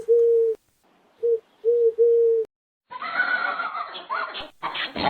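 Four low, steady hooting coos: one long, two short, then another long one. A voice and music follow.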